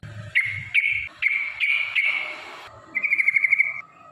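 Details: Yellow-vented bulbul song used as a lure to provoke rivals: a few clear sustained whistles, then a quick trilled run of repeated notes near the end; faint low rumble in the background.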